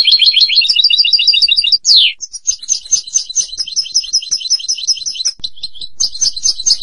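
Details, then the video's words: Goldfinch (European) delivering a long, unbroken song of fast, repeated tinkling notes, a sharp descending slur near two seconds, then quick high twittering series running on steadily. "Jilguero canto del cardellino"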